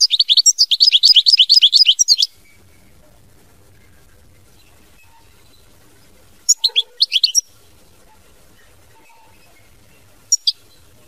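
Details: Goldfinch singing mama binette style, opening with a fast two-second trill of rapid, jingling notes, then quieter spaced twitters and a brief final flourish, with faint background noise.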